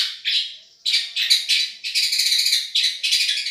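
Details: Long-tailed shrike of the Madura type, in a song-tutoring recording described as a champion voice: harsh, raspy bursts of chatter, short phrases at first, then a longer continuous scratchy stretch with brief pauses.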